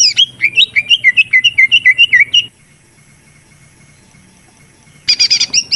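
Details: Greater green leafbird lure recording meant as therapy for reluctant singers: a rapid run of looping whistled notes for over two seconds, then silence, then a brief harsher chirping burst.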